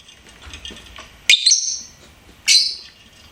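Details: Lovebird kept as a pet, making two loud, piercing chirps, each starting sharply and trailing off, roughly a second apart, after soft background noise.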